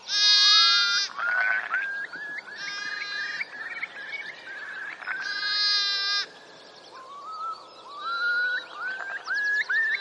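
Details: Displaying male Eurasian curlews at Tindale Tarn, Geltsdale, late April 2021, give rising whistled notes and bubbling phrases, overlapped by loud, harsh, nasal bursts from other birds.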